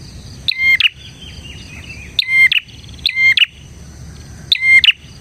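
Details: Bar-winged prinia in full song, offered as a master and lure recording for prinias: four loud, bright, doubled chip phrases spaced one to two seconds apart, with soft twittering between and a constant high hum.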